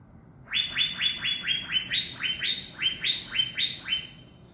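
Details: Asian fairy-bluebird in wild forest gives a fast string of about sixteen sharp, high, downslurred whistled notes, roughly four a second, over quiet forest background.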